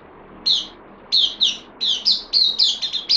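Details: New bulbul on loan, 12 September 2020, in an increasingly busy burst: a lone whistle, a pair of notes, then a rapid chain of bubbly, slurred whistled phrases.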